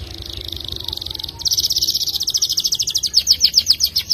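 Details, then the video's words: F2 YS canary performing an extended ngerek trill: a continuous fast high rattle that grows louder and more pulsed over four seconds, over steady low background noise. "Kenari F2 YS gacor ngerek panjang, suara tajam mewah"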